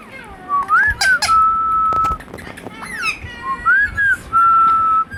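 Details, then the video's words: Indian ringneck parakeet kept as a pet, speaking "Hello" and "Mithu": two tonal phrases, each a quick wavering rise and dip followed by a long flat held note, with a few clicks between. "Indian Ringneck Parrot Says "Hello" & Mithu Mithu"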